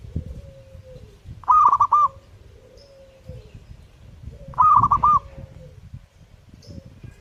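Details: Zebra dove singing energetically, two brisk cooing phrases about three seconds apart, with soft falling whistles and low rumbling background noise throughout.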